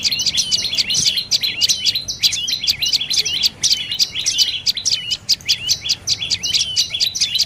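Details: Rapid series of shrill, squeaky dark-necked tailorbird notes, repeated in fast rolling groups without pause over several seconds; little other sound.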